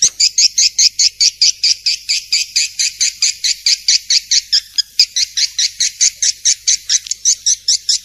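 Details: Rapid, evenly paced high chirps from a swiftlet, recorded as masteran training audio for birds. The bright two-tone tweets repeat roughly three times a second without pause.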